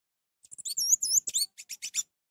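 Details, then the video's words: Orange-headed thrush song used to stimulate reluctant birds to sing: a brief run of high, sweet notes with two slurred whistles, then a quick series of sharp chips, all in about two seconds. "Untuk memancing Anis merah yang malas bunyi"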